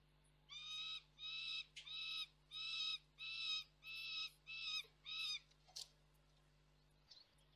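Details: Juvenile peregrine falcon screaming off-frame at Koksik, Reda, on 3 July 2024. About eight harsh, rasping screams in regular succession, followed by quiet with faint rustling.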